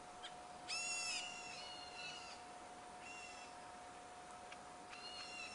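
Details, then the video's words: Black bulbul cheeping in reply to another black bulbul: short, harmonic, slightly nasal cheeps, mostly rising then flattening, given at irregular intervals over a steady background hum. "A Black Bulbul bird Cheeping in response to the cheep of another bird of its kind"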